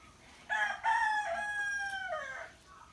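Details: Rooster crowing in the morning among other roosters and birds: one full crow, a stuttering start followed by a long, strained note sagging in pitch at the end, over quiet background.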